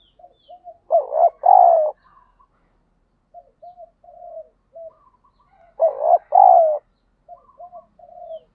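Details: Spotted dove calling in daily decoy training meant to provoke fighting: two loud, throaty paired coos about five seconds apart, each surrounded by short, quieter soft notes.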